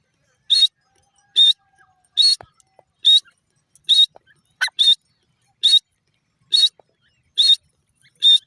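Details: Teetar (grey francolin) calling in a regular run of about ten short, piercing, high notes spaced roughly a second apart, with near silence between them.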